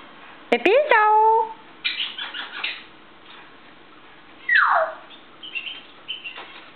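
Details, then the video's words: Indoors on a kitchen table in the morning, a cheerful African grey parrot gives clicks and a rising nasal whistle, then buzzy chatter, a loud downward-sliding squeal, and a few short chirps. "le gris d'Afrique de bonne humeur"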